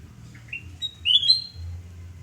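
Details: Sooty-headed bulbul at home in Surabaya on the morning of 29 November 2017, delivering a quick phrase of upslurred whistles that ends in a loud, pure, held note, with low hum beneath.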